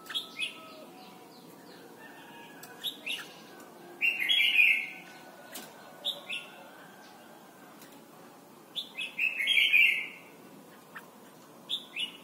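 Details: Red-whiskered bulbul from Thailand, played as a song for teaching young birds to sing: short bright warbled phrases come in bursts every few seconds, some longer and richer, over a quiet background with a faint low hum.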